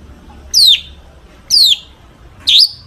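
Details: Long-tailed shrike singing a song full of fills, used to provoke other shrikes into singing: three loud whistled notes, each sliding steeply downward, spaced about one second apart, with a faint low hum beneath.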